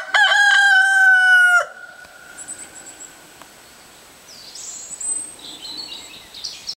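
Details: A neighbour's rooster crows on a Sunday morning, 30 October 2011, in the Czech Republic, while the hens stay shut in the coop: one loud, harmonic cock-a-doodle-doo of about one and a half seconds, then faint small-bird twitters.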